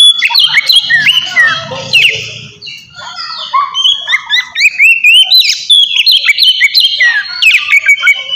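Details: Oriental magpie-robin in ngeplong fighting song, used to stir aggression and mating mood in untrained birds: loud, varied whistled phrases with rising and falling slurs and rapid chattering notes, a low hum beneath early on.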